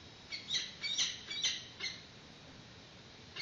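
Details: Peregrine falcons at a nest, captured on a live webcam during a chick's first feeding in 2019, an adult arriving with a yellow bird. Five quick, high, grating calls run close together, then fall silent.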